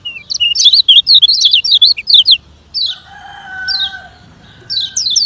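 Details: Fast training song of a Lombok lemon-bellied white-eye: a dense run of sharp, high, zigzagging chirps for over two seconds, then a lower drawn-out call in the background, then renewed short twittering bursts.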